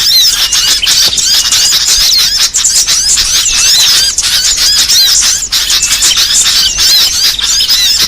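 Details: Small-bird lure sound for trapping, said to draw sogon, konin, cit merah and similar birds: a continuous high wall of rapid chirps and scratchy twitters, with faint clicking beats showing at regular intervals.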